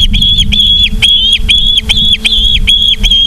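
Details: Osprey calling at a Charlo, Montana nest, 24 August 2023 at 17:43: loud, evenly repeated high whistles, each slightly arched, about two to three per second, over a background hum.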